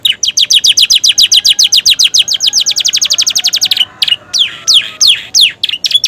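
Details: Canary (Romeo type), freshly moulted, singing a song filled with imitations of prenjak and ciblek: rapid trains of high, sharp, downward-sweeping notes repeated several per second, shifting into looser buzzy phrases near the end.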